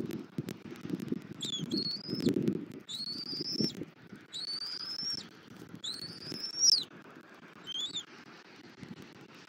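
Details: Nesting bald eagle in Southwest Florida, morning of 21 January 2024, while feeding the chick; a series of four or five shrill, tinny whistled chirps, each slightly rising then flat, over background shuffling and rustle.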